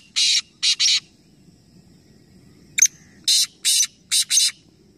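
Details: Three black francolins calling together in a calling competition at Nawabshah, Pakistan: harsh, rasping, buzzy bursts, two quick notes, a pause, then a sharp click and a tight run of four grating notes, over a faint low background rumble.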